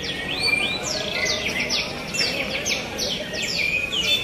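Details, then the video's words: Javan bush lark at a singing contest, delivering a fast, high run of sweeping whistled notes and trills above a steady murmur of background noise and voices. "Kontes Kicau Branjangan Super Gacor"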